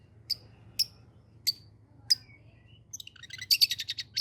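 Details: Long-tailed shrike in full song: four separate sharp high notes spaced roughly half a second apart, then a fast burst of clipped, scratchy notes piled into a busy phrase.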